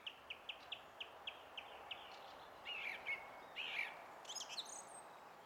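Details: Song thrush song recorded 20 April 2016, opening with a rapid run of about ten identical sharp notes, then shifting to whistled slurs and high trills.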